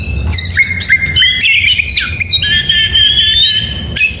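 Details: Oriental magpie-robin singing in the morning, a loud, rich run of sustained whistled notes stepping between pitches, with short sharp chips and a long steady whistle near the end; faint low background rumble.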